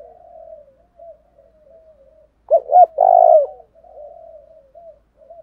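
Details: Low purring murmurs surround a single loud phrase from a spotted dove in 'thổ đồng thúc đấu' style, a call meant to provoke rivals: two quick hoots followed by a long, level, hoarse coo.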